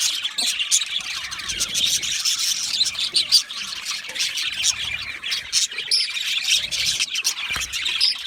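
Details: A flock of budgerigars in an aviary keeps up lively, overlapping chirping and warbling, high and twittery, with occasional sharper squawks rising above the group.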